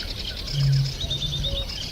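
A Eurasian bittern gives a single deep, hollow hum lasting under half a second, over a steady high hiss of insects and faint distant bird notes.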